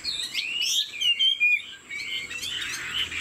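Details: Captive Chinese Hwamei kept as a songbird, singing in the head-nodding 'lion dance' style with wing play: quick, sweeping whistles rising and falling, then a softer twittering stretch at the end.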